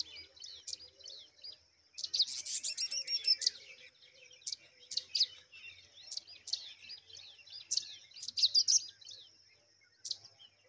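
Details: Rock chat mother bird attending her chicks, giving a series of short, high, sharp chirps, some in rapid clustered bursts and others spaced about half a second apart, against a quiet background.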